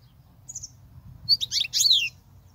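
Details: Song of a European goldfinch, intended for teaching young goldfinches: one soft high note, then a dense quick flurry of sharp tinkling chirps and a buzzy descending slur, with a light low hum beneath.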